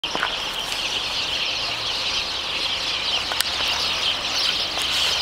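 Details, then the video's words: Sparrow trills: a dense, continuous chorus of sparrows, high chattering trills and chirps overlapping without pause, with a few thin whistles above; at the end they fall quiet as if not there at all. "Воробьиные трели_Sparrow trills"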